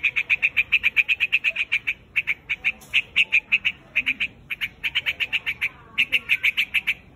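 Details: Rapid chattering series of short, bright notes from a white-headed bird calling its flock, delivered in bursts separated by brief pauses.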